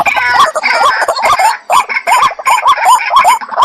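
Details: White-breasted waterhen calls from a decoy bird: loud rapid series of harsh, rising nasal notes, roughly two per second, overlapping croaks and clucks in a fast chattering chorus.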